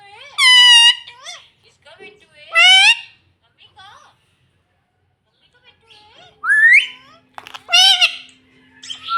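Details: Pet green ringneck parrot talking indoors: loud, harsh, strained word-like squawks near the start and again later, separated by quieter mumbled chatter and brief silences.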